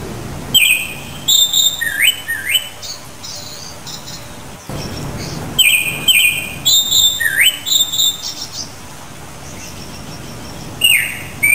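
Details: Japanese thrush (Turdus cardis) delivering varied whistled phrases: fluty slurs, quick rising notes and higher trilled bits, in bursts with short gaps, over a quiet rural background with low rumble.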